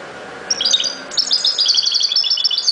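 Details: European goldfinch in ghoroub style song, a brief twittered phrase followed by a longer stream of quick, sparkling high notes delivered almost without pause.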